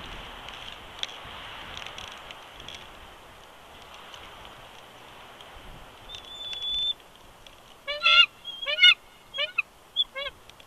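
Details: Male bald eagle at a nest at Big Bear Lake, California, on a live nest camera in January 2020, protesting as his mate coaxes him off the eggs: a thin rising whistle, then loud bursts of rapid, stuttering, high chattering notes.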